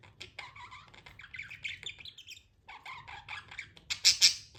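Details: Budgerigar warbling chatter of wavering, buzzy notes, a short gap, then more chatter ending in two loud shrill chirps.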